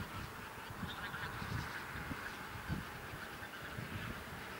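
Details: A flock of a couple of thousand Bean geese in a field on Texel, Netherlands, on 22 November 2014 keeps up a dense, overlapping chorus of nasal honks and cackles. About half took flight, over a low rumble of wind and wingbeats.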